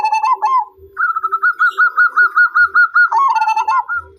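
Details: Zebra dove song with a rapid series of about a dozen evenly spaced, crisp cooing notes, framed by lower rolling trills at start and end, and soft low thuds beneath.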